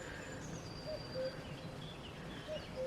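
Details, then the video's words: A cuckoo in Italy near a small tree on an evening walk before dark gives its soft two-note 'cu-coo', the second note lower, about every second and a half; faint thin whistles from other birds above. "Oh, I hear the cuckoo."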